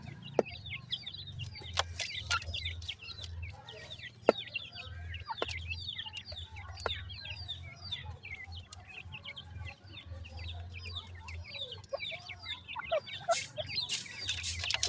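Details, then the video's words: Young grey francolins, called dakni teetar, held as captive chicks for sale in Multan; a dense, overlapping chorus of thin, high cheeping notes runs steadily throughout, over a low rumbling background and occasional sharp knocks. "dakni teetar chicks"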